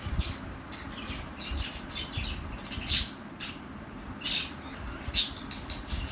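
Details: Two pet budgies giving a string of soft twittering chirps broken by three louder, sharp squawks spaced one to two seconds apart, with steady low-pitched background noise.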